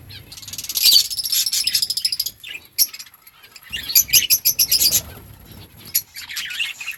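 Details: Chirping budgies, parakeets in a breeding colony calling to each other; bursts of sharp high chirps and rapid warbling chatter separated by brief quieter gaps, with soft clicks.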